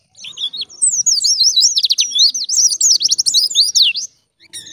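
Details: White-eye singing in ngalas style for bird training: a single sustained phrase of fast, high, tumbling twitters and slurred whistles lasting about four seconds, ending abruptly, followed by a couple of thin chirps.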